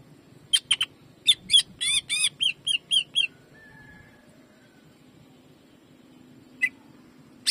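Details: Greater green leafbird, caged, in a 'jamtrok' shooting song session: a short burst of loud, sharp high notes in quick succession, then near silence with a faint low whistle and two isolated sharp notes.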